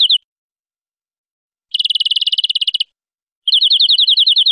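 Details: Song of a European greenfinch, recorded for aviary use, with short rapid rolling trills separated by silent gaps, the last trill slower and more clearly spaced notes.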